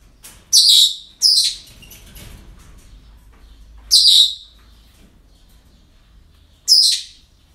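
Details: At a breeding centre, parrots give harsh, shrill screeches: two close together near the start, then single calls about three seconds apart, with faint rustling between.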